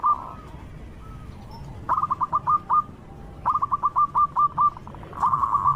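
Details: A local zebra dove gives a loud lure song for drawing other doves. A faint purr gives way to two series of crisp, quickly repeated hooked notes, closing with a rolling trill.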